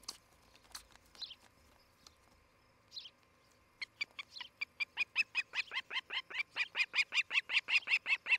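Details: Osprey calling at a nest in Charlo, Montana, 11 July 2018, morning, via nest cam: a few isolated squeaks, then a long accelerating series of shrill repeated chirps that grows louder toward the end.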